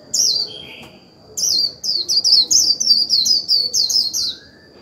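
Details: Caged decoy Japanese white-eye singing the moderate 'líu' style meant to stir wild birds into singing: rapid bursts of high, thin, down-slurred chirps run together in twittering strings, with a faint steady high tone behind.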